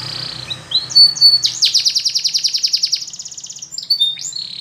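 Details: Spanish Timbrado canary training song with short whistled slides, then a rapid loud metallic trill of about a second and a half, followed by upward swoops, with a soft low hum.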